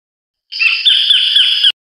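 A collared kingfisher gives one harsh, grating call about a second long, high-pitched with a slight wavering rasp. Nothing else is heard.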